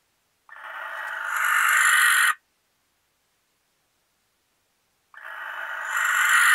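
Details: Barn owls, a couple together in a nesting box in Recke, Germany, in May 2021: drawn-out rasping hiss-screeches of about two seconds that grow louder toward the end, with a long pause between.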